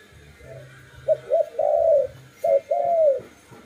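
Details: Dove cooing in two phrases: short clipped coos leading into a long, low, slightly falling coo, repeated once, over a faint steady background hum.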